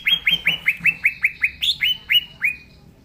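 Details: Green leafbird in full, vigorous song: about twelve ringing upslurred whistles delivered rapidly and steadily, one note pitched higher near the middle.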